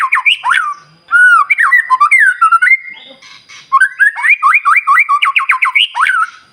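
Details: White-rumped shama singing in the morning to trigger other birds: varied whistled phrases and slurred notes, a short lull, then a rapid train of repeated looping notes.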